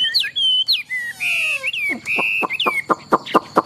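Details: Tame caged Chinese hwamei, a large-bodied bird noted for competition singing, gives clear whistled notes that rise and dip, then a run of sharp downward-stroked notes repeated several times a second.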